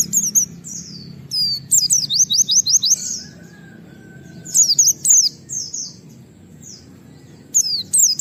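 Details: White-eye calling in the wild, a 'nembak wit wit' call meant to provoke other white-eyes into calling: high thin whistled notes, some in rapid descending wit-wit series, separated by pauses.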